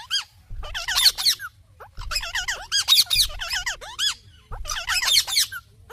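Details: Three bouts of raspy, wavering squawks from an Indian ringneck parakeet, each cluster of rapid rising-and-falling screeches lasting about a second, separated by short pauses.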